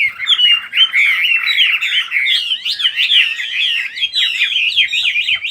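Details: A crowded, unbroken stream of fast chirps and warbles from several birds singing at once. The phrases overlap in a busy, high-pitched tangle throughout.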